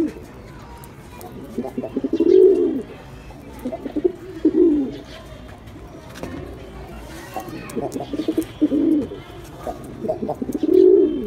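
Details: Repeated low pigeon cooing over about eleven seconds: rolling, throaty phrases with stuttered lead-in notes and rounded drawn-out hums, roughly every two to three seconds.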